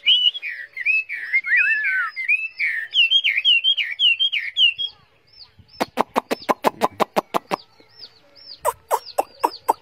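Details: Caged Chinese hwamei, a tame bird carried in its cage, pours out rapid warbled whistles for five seconds, then a fast series of dry clicks and a few more whistles.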